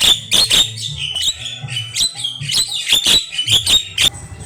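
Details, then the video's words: A jalak kebo, or Javan myna, delivering rich, chatty tutor song: rapid harsh chips and buzzy squawks in quick succession with short whistled elements, over faint low hum. "Suara Jalak Kebo Super Gacor Isian Mewah"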